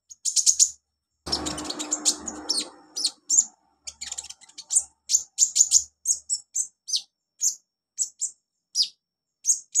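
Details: Olive-backed sunbird singing on a training recording for young birds: a long run of rapid, very high chips and tweets, briefly overlaid early on by a rough rustling noise.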